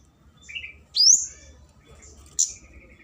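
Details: Flowerpecker lure call for a rival: a short whistle followed by a sharp rising high squeak, then a faint high buzzy note and a trailing whistle.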